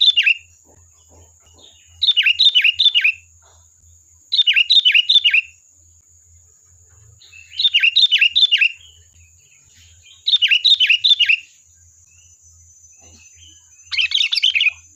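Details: Lure song of a sooty-headed bulbul to prompt an answer: rapid bursts of four or five bright, bubbling chirps, each burst about a second long and repeated every two seconds, over a steady high tone.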